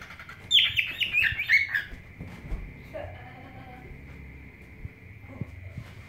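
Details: White Face-mutation male cockatiel (Nymphicus hollandicus), almost one year old, in Medan, Indonesia, gives a quick burst of bright, warbling whistles as his own song while looking at his female, then falls mostly quiet.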